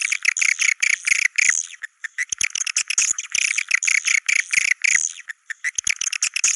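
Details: Swiftlet calls in the style named China cave: rapid, high, buzzy twittering chirps in choppy bursts with short pauses.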